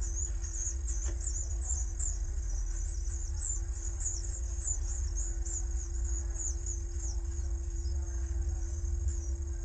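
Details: Common swift colony at the Colegio Esclavas SCJ school in Jerez, filmed by webcam: shrill, thin screeching trills pour out almost continuously over a deep low rumble and a steady hum.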